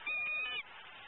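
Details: Hungry, impatient female eagle in Southwest Florida, late morning of 12-11-14, calling while her mate de-furs prey in a pond tree; a single thin, steady, high whistled note about half a second long, then low hiss.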